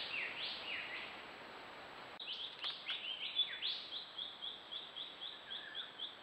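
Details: Yellow-rumped thornbill collecting wool for its nest; high swooping notes rising and falling for two seconds, then a quick run of short, thin chirps repeated several times a second, steady faint background hiss.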